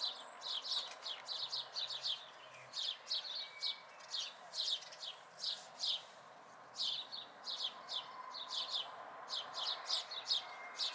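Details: Local house sparrow fledglings in May 2020 giving quick chirps in loose clusters, a few spaced gaps between bursts, with low steady background noise.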